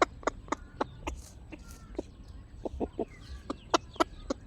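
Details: Domestic chickens giving short sharp clucks at an uneven quick rhythm, about four per second, with faint softer calls and background hum.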